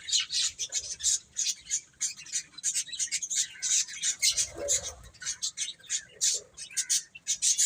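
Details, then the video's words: Several chicks eat and play, giving a steady stream of short, high, overlapping peeps at an irregular, busy rhythm, with soft lower rustling around the middle. "Cute Chicks Eating and Playing | Baby Chicken Chirping Sounds"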